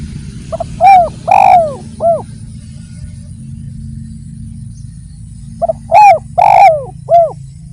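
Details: Spotted dove repeating its cooing phrase, used as a lure so hearing doves also call: two phrases about five seconds apart, each a short soft note, two loud arched coos and a clipped final coo, over a low rumbling hum.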